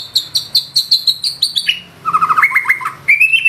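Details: A gacor white-rumped shama sings its trained fill: a fast series of about a dozen clear, high repeated notes, then a lower rattling trill and a rising whistled phrase.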